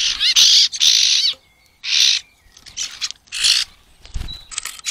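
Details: European greenfinches on 18 April 2022 give harsh, drawn-out wheezes, each about a second long, repeated several times and mixed with brief twittering notes.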